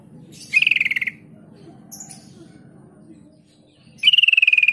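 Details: Sooty-headed bulbul lure used to make bulbuls respond fast: a half-second buzzy chattering burst, a quiet gap with a faint high note, then another rapid pulsed trill starting loud and holding steady.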